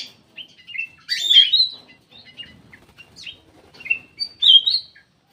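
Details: Black-crested bulbul lure call: brisk chirps and a loud rich warbled phrase, a run of soft ticks, then two more clear whistled notes closing the sequence.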